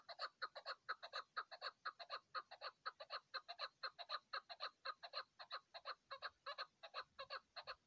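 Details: On a mountainside in hunting season, a chukar partridge keeps up eight seconds of rapid, rasping chuck-chuck notes, evenly pulsed and strong, with no other sound standing out.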